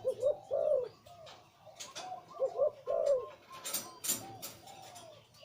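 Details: Deep-voiced breeding male zebra dove, Liu Tan style: low, rolling coo phrases repeat through the first half, each a quick trilled note followed by a longer burring note. Later sharp clicks and tapping noises are heard.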